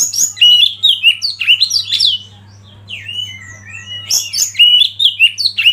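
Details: Master-song kacer (Oriental magpie-robin) meant to trigger other birds' singing: energetic mix of sharp whistles, clipped chips and slurred phrases, a quieter gap with soft drawn-out notes, then a loud return of rapid varied song over a low hum.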